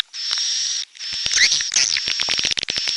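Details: Swiftlets of the red-nest kind: a steady high buzzing twitter with a piercing held tone, a brief pause, then scratchy chirps and quick clicks.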